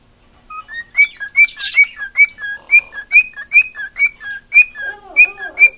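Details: A female cockatiel kept as a pet sings a fast string of bright two-toned whistles, high note then lower note over and over, with a brief hissy burst near the start and soft chatter underneath.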